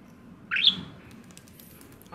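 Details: Male budgerigar, five years old, kept as a pet, giving a sharp 'pipi' call as its owner tries to remove their glasses: one brief, loud, harsh chirp, then quiet room noise.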